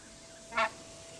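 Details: A single brief, harsh honk from an emperor goose, rich in harmonics, with a steady faint hum in the background.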